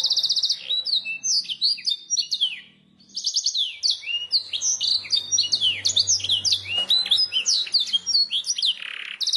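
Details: Canary masteran song for training other birds to sing: an opening rapid trill, a brief pause near three seconds, then dense tumbling whistled phrases of quick descending sweeps; low faint hum in background.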